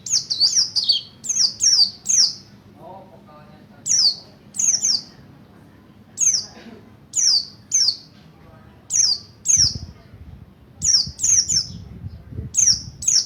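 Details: Mountain white-eye (Buxtoni) learning a rolling wild-style song to provoke other white-eyes: high, sharp, down-slurred chirps given in pairs and short groups at irregular intervals, with faint low background rumbles.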